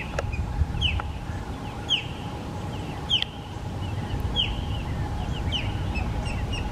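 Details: Osprey in Florida, filmed with a Canon PowerShot SX70 HS, uttering sharp, high down-slurred whistled cheeps roughly once every second, with faint softer notes between, against a constant hum and low rumble.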